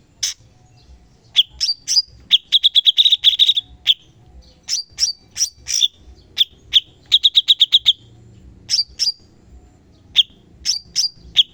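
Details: Cucak cungkok, the sooty-headed bulbul, delivering 'tembakan' song used to train songbirds: crisp high chirps and two-note flicks, broken by quick machine-gun runs of eight to ten identical notes, with brief silences between bursts.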